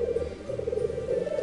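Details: Black grouse (Lyrurus tetrix) at the lek before sunrise, heard from a hide as the fighting subsides, give a continuous low, bubbling coo that rises and falls in steady pulses.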